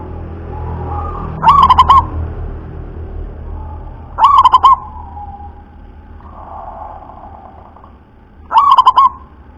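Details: Three separate cooing phrases from a local zebra dove with a thick, deep voice, each an upslurred opener and a rapid burst of bubbling notes, spaced about three seconds apart, with a low rumble and a soft humming tone between.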